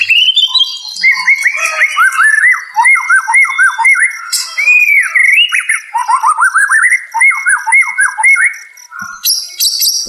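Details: White-rumped shama song used as therapy for a stressed caged bird: rich run of rising and falling whistled phrases at middle pitch, with faint high ticking behind.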